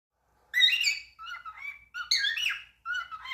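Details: Cockatiel talking: a burst of harsh, warbling, strongly modulated chatter, a softer mid-pitched run of syllables, then two more rapid chattering phrases in a quiet indoor setting.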